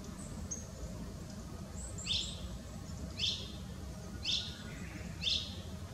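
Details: Blue-and-white flycatcher in a tree, April 18, 2016, after arriving for the season, captured with a Nikon Coolpix P900: short high downslurred notes repeated about once a second, faint over steady low-pitched background noise.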